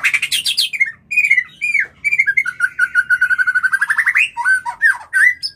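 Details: White-rumped shama mating call to induce breeding: bright whistles and slurs, then a long rapid run of evenly repeated notes climbing in pitch, followed by more whistled phrases.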